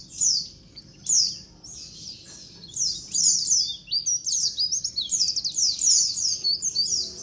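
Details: Lure sound of a white-eye colony: high, sliding chirps and short trills in bursts, becoming a faster, chattering series of overlapping notes toward the end.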